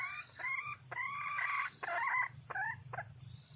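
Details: Wild red junglefowl hen calling for a mate: harsh, cackling clucks in rapid bursts, about six short phrases in quick succession, over a steady background hum of insects.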